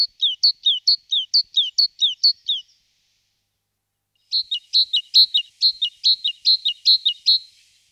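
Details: Great tit (Parus major) song: clear two-note phrases, a higher note dropping to a lower one, repeated rapidly in an even rhythm across two bouts separated by a short pause. No other sounds.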